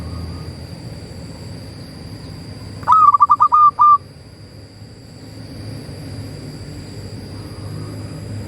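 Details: Zebra dove of local Indonesian stock singing to provoke other doves into calling: one rapid run of clear, steady cooing pulses ending in a longer held note, followed by several seconds of faint ambient hum.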